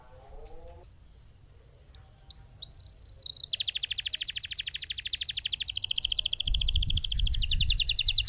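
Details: Lemon canary giving a long roll: a few upslurred whistles lead into an extended, fast, even buzzy trill lasting several seconds, over a low background rumble.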